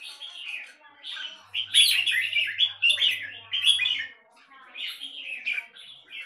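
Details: Red-whiskered bulbul kept in Singapore singing a busy run of chirpy, slurred notes, pausing briefly before a final warbled phrase; faint low hum beneath.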